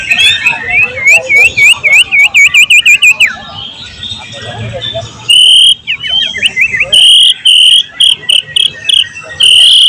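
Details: White-rumped shama singing loudly in a training recording made to teach filler phrases of other birds: a run of quick rising whistled sweeps, a pause, then loud clear high whistles and short ringing notes in bursts.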